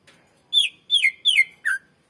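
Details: Greater green leafbird song played to lure and train other birds: four loud whistled notes, each dropping from high to lower pitch, spaced about a third of a second apart, clean with no other sounds.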